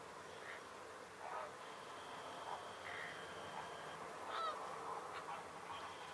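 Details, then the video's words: Flamingos at dawn in the Diaccia Botrona Nature Reserve: scattered nasal, goose-like honks, several short calls spread over six seconds, against a steady background hiss and a thin, faint, sustained tone. "Fenicotteri all'alba"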